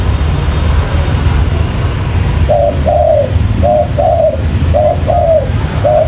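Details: Spotted dove lure call of the 'trơn ròng mailai' style, used to attract wild doves for trapping: quiet rumble for over two seconds, then paired cooing phrases, each a short coo followed by a longer falling one, repeated about every second, over a steady low hum.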